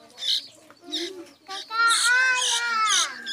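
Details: A hungry sooty-headed bulbul chick begs with a few wheezy, hissing notes, then a drawn-out, rising-then-falling harmonic squeal; a faint voice may be mixed in.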